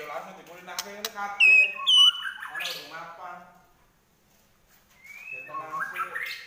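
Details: White-rumped shama in fighting mode with trotol-style song: loud pure whistled notes near the top, mixed with harsh, rattling, harmonic-rich phrases, then a short pause and a rising slurred whistle leading into more chattering.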